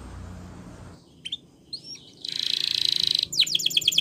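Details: Gloster canary singing for training: after background noise and a few chirps, a buzzy rapid trill rises in loudness, then quick repeated down-slurred notes.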